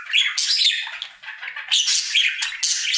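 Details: Male budgerigar kept as a pet chatters loudly in his daily song, harsh squawky notes and bright chirps packed into three quick bursts.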